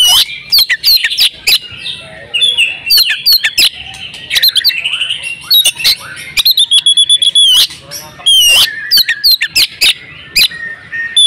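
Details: Oriental magpie-robin female in breeding condition calling to make males sing; dense sharp chirps and clicks, softer warbled stretches and a long wavering whistle, with bursts throughout.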